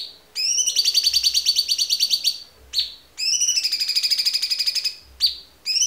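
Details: White-rumped shama training song: two long, rapid, high trills, each introduced by a rising whistle, separated by sharp falling whistles and brief silences.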